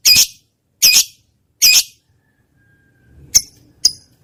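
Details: Trained lovebird recorded as a lure for quiet pet birds: three harsh, high squawks spaced under a second apart, then a silent gap and two shorter sharp chips with faint low rustling.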